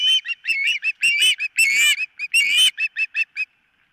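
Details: At the nest on 4 September 2023, morning, an osprey gives excited high whistled chirps and a few longer screeching cries, ending in a trail of short piping notes before silence.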